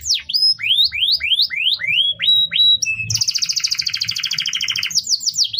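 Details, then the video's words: Canary song used for tutoring other birds: rising curved whistles repeated about three per second, a short held tone, then a long fast two-layered buzzy trill and closing swoops. "Masteran burung kenari"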